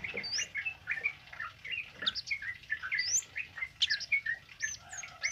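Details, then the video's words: A singing tame male kemade, recorded as a tutor for other birds, gives a dense, rapid medley of varied chirps, rising and falling whistles and twittered phrases that pour out almost without a break. "Suara Burung Kemade Jantan Jinak Gacor Ngalas Buat Masteran"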